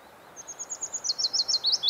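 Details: Willow Warbler singing in Norwegian early summer at Geilo: thin, soft high notes rising in volume into clear, falling whistled notes, a quick ascending build of a dozen or so notes.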